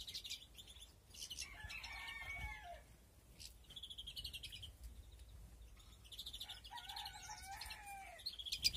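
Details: European greenfinches breeding in a flight aviary with nests, 2021; buzzy nasal wheezes and twittering chirps high up, mixed with lower, tonal, downslurred notes from other birds and a steady low background hum.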